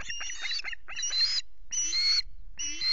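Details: Osprey at the Loch Garten nest with chicks, 5 July, nest camera: long, harsh, harmonic squealing calls in four drawn-out bursts, each about half a second, with quiet gaps between.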